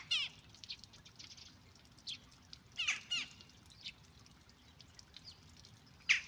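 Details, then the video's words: Western jackdaw feeding its chick, with harsh, raspy begging calls in short, irregular bursts, some double, spaced one to two seconds apart, loudest near the start and end, over faint outdoor background hiss. "Галка кормит птенца"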